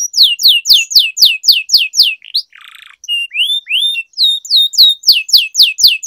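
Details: Canary training song used to coax silent canaries and teach young birds. Evenly spaced sharp downslurred high notes repeat about four per second, pausing for a soft buzzy sound and a few rising whistles before resuming.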